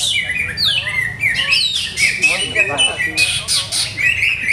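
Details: Caged greater green leafbird singing while its owner keeps testing its conditioning setup: a rapid, varied run of high whistled and chattering phrases, with sweeping slurs and sharp bursts. A faint low rumble sits underneath.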